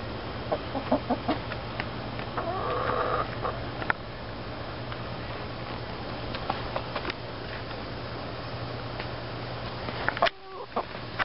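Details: Five pet backyard hens, three Rhode Island Reds and two Easter Eggers nearly 20 weeks old, kept in a small city yard; soft scattered clucks and a short harmonic squawk early on amid steady background hum, then a brief knock near the end.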